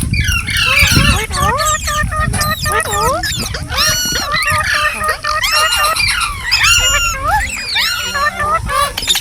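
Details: Green parrots calling in a busy mix of whistled, rising and falling squawks and chattering notes, many overlapping, with a low rumbling background.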